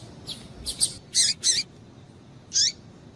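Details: Female Double-collared seedeater calling to stimulate males, giving a handful of short, high, emphatic chirps, several bunched together, then a pause before one last sharp note.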